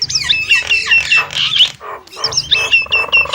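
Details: Nias hill myna voice: loud, clear whistles that swoop up and down, mixed with raspy squawks, in two bursts split by a brief quiet gap.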